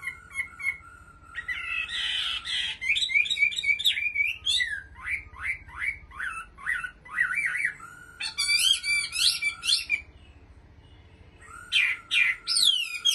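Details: Long varied performance by a caged Chinese hwamei from Bình Định: steady whistles, a burst of rich warbling, strings of sharp repeated notes, then short pauses and high ringing phrases.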